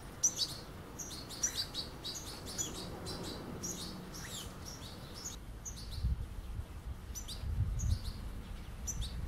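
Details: European goldfinch fledglings at a puddle, chasing the adults, beg with rapid, high, thin twittering calls in quick bursts, over a low rumble of background noise.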